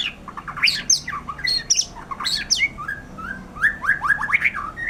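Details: White-rumped shama in song, a lively sequence of sharp descending whistles, high pings and lower fluted notes, tumbling out in rapid, varied phrases.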